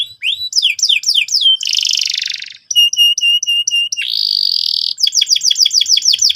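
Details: Canary singing a lively, varied song meant to provoke another bird into singing: rapid repeated down-slurred whistles, a harsh buzzy stretch, steady pulsed trills, then another fast run of sweeping notes.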